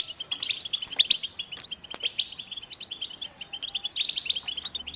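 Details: European goldfinch song: quick jingling chirps and short trills, with bright, piercing notes near the first second and a louder tinkling phrase toward the end.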